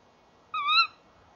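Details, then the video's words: Male and female Tawny owl at a nest box, 30 January 2014, 19:31; one clear, harmonic call, level then rising slightly before stopping sharply, with a soft hiss underneath. "Bosuil M en V roepen samen bij de kast"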